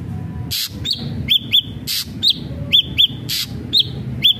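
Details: Ashy drongo singing actively, used as a lure for other ashy drongos: hooked whistled notes in pairs and singles alternating with loud harsh noisy bursts over a low rumbling background.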